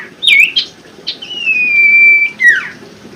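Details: Common iora, called sirtu, singing as a lure for birds that have stopped singing: short slurred notes, then a long steady whistle, ending in a quick falling slur.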